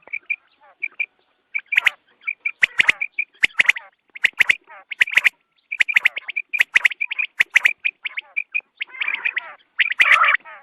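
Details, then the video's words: Quail calls recorded for dawn hunting: a dense, busy chatter of short bright chirping notes, many rapid rattling bursts and sharp dry clicks, overlapping calls suggesting several birds, ending in a harsher scratchy burst. "batair ki awaz subha k liye"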